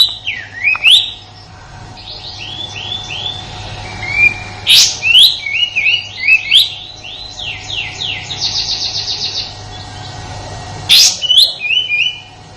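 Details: Sooty-headed bulbul, local name kapas tembak, in its harsh 'tembakan' style used as master song for murai batu: loose series of falling whistled notes, sharp harsh bursts and a short buzzy rattle, with pauses between.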